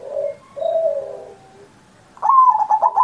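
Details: Zebra dove in song, used as a tutor for pet doves still learning: two soft low coos, a pause, then a loud rapid string of stuttered coo notes.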